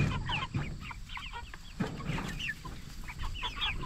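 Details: Broiler chickens of the jumbo Cornish Cross type, 44 days old and reared for meat, chirp in a fast jumble of bright falling peeps over a steady low murmur.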